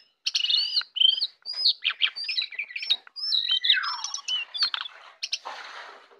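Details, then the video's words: Morning song of a jongkangan, captured with basic equipment: a dense, lively stream of high sharp chirps and short whistled notes, with a falling slurred phrase midway and a brief rough burst near the end. "jongkangan ocehan di pagi hari"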